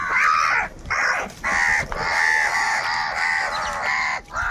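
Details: During a fight over food, crows give a dense series of long, rough, nasal caws, nearly unbroken and loud throughout.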